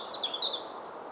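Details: European robin singing near Vladimir, Russia, on 9 April 2017 in early spring: a brief, high, thin whistled phrase that slides downward and then holds a clear note before fading.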